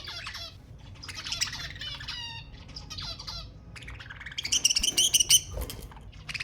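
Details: Budgerigars, sound to stimulate breeding: bursts of quick rattling warble, then a loud run of rapid repeated chirps near the end over background twitter.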